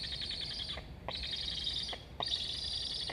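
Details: Hungry Black stork chick calling at its Estonian nest, late August 2021, sibling flying about the nest, both chirping; three hoarse, hissing buzzes of under a second each in quick succession.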